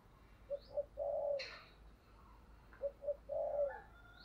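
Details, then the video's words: Spotted dove coo serving as a decoy to rouse wild doves: two short hoots then a long falling coo, repeated after about two seconds, with a brief high chirp from another bird and rustling noise. "tiếng cu gáy kích bổi nhanh nổi"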